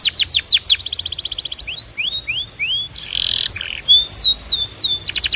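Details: Canary training song: fast descending notes, a dry rattling trill, a few rising slurred whistles, a buzzy burst, then more curved whistles and quick sweeps.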